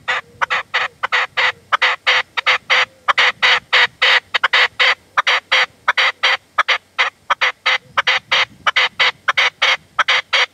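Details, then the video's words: Partridge calling at sunset in the Manzanares sierra in February, decoy hunting where the male would not come in: a long, loud, steady run of harsh clipped notes, roughly one or two per second-fraction, continuing without pause. "PERDIZ Y RECLAMO"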